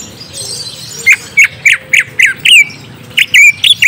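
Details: Lure song of the orange-spotted bulbul to prompt a young bird to answer: a brisk string of about a dozen loud whistled notes, slurred and chirpy, repeated several times a second with short gaps.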